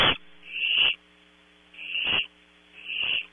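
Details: Nighttime Barn owl nestlings at Audubon Starr Ranch, California, competing over prey: three softer, drawn-out wheezing hisses that swell and fade, spaced about a second apart, with a steady low hum underneath.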